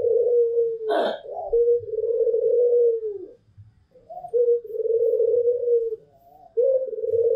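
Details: Barbary doves, a white long-cooing pelung bird and a local bird: drawn-out mellow coos, each about two seconds and sagging slightly at the end, in a repeating series, with a brief click near the start.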